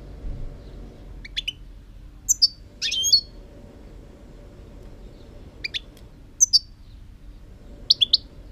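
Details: European goldfinch song recorded in 2018: scattered high twittering phrases and sharp chips, with short tinkling bursts every one to two seconds over low steady hum.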